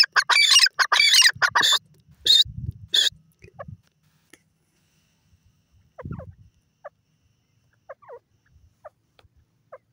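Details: Grey francolin calling: a run of loud, harsh, ringing bursts in quick succession for about three seconds, then a few faint, short, sliding notes and low thumps in near silence.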